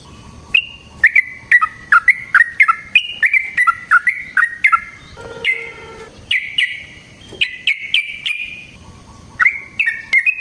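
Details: Long fighting song of a yellow-vented bulbul kept in a cage to provoke another bird, lively slurred whistles in quick sequences, with a lower rasping note around the middle.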